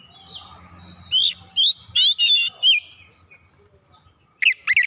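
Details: Oriental magpie-robin in full, lively song used as a lure to trigger other birds, showing off its varied repertoire: loud clear whistled phrases, rising and falling, in bursts of five notes, a pause, then a fresh quick run.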